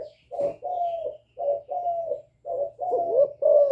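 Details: Young spotted dove giving calling coos mixed with bowing coos, a voice said to stir wild doves: low, hollow cooing phrases in short bursts, each slightly falling, with brief silent gaps between, over a faint low hum.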